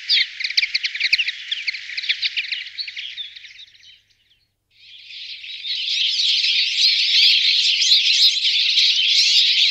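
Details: Common linnet singing a continuous dense twittering warble of rapid chirps and trills, a short gap near the middle, then a louder, fuller chattering stretch to the end.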